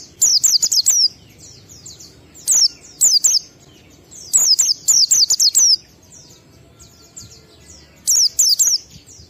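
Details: Oriental white-eye in ngalas style, a 12345-beat lure song played so captive birds start singing: loud, high, sharply descending whistled notes in rapid bursts of four to six, with pauses of about a second and a half between bursts.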